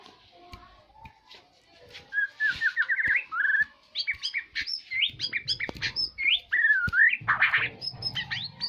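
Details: White-rumped shama (murai batu) of the Aceh type, song used as a lure to provoke other birds: after faint chatter, loud rapid series of slurred whistles and sharp upswept chips, with a few harsh notes mixed in.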